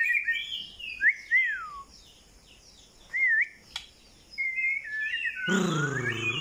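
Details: White-rumped shama giving separate slurred whistles, some dropping steeply in pitch, with quiet gaps between them; a loud, harsh, low rasping sound takes over at the end.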